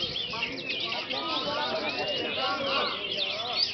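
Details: Sooty-headed bulbul song used as a lure for competition training: busy, overlapping bright whistles and chattering phrases, rising and falling quickly, with dense bird chatter throughout.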